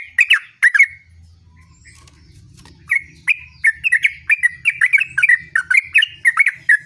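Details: Yellow-vented bulbul singing in a continuous rolling style: two quick bubbly phrases, a short gap, then a long fast sequence of warbled, dipping and rising notes.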